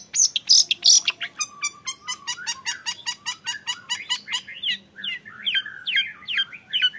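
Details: Young long-tailed shrike singing a fast, lively run of sharp high notes, about three per second, opening with bright whistles and changing into rapid scratchy chirps and rising, twisting phrases.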